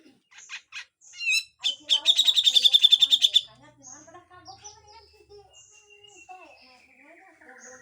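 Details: Harsh besetan full song of a grey-cheeked bulbul for training other songbirds: a few sharp chips lead into a loud, rapid, buzzy rattle lasting over a second, then softer rambling warbles and a thin descending whistle.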